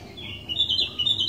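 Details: Sooty-headed bulbul singing eagerly, used as a lure to make other bulbuls sing: a brief continuous warbling phrase of fluttering high whistles that rise and waver, over a low steady hum.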